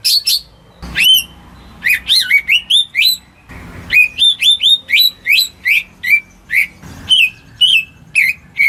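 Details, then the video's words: Greater green leafbird kept at home, singing to coax stuck birds to sing: rapid varied whistled phrases with bright rising and falling slurs, broken by a few brief thumps of handling noise. "Cucak Ijo Rumahan Yang Cocok Buat Pancingan Burung Macet"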